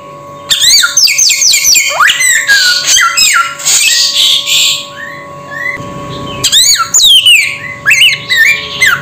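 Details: Silence, then a sudden flurry of chattering squawks and whistled notes from a samyong bird, quieter scattered calls, then another loud burst of harsh chirps, over a low hum.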